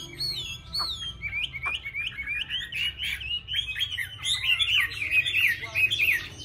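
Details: Chinese hwamei song building from a few separate whistles into a dense, fast stream of twittering slurred notes, against a constant low background hum.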